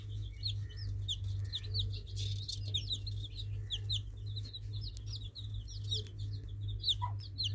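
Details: A brood of baby chicks keeps up continuous high-pitched peeping, short rising and falling notes crowding over each other, with a steady low hum underneath.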